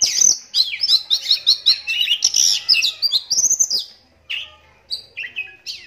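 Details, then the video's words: Caged adult oriental magpie-robin with cataract-blinded right eye, raised from young, singing loudly: rapid run of high, varied chirps and warbled phrases, about three per second, then a pause and a few separate whistled notes. "Walau Matanya Buta Tapi Suaranya Mampu Bikin Kacer Lain Langsung Nyahut"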